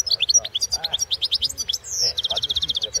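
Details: Competition singing of a European goldfinch, 2016 world championship: continuous rapid high twitters and chips, a drawn-out buzzy note, then a fast, evenly spaced trill.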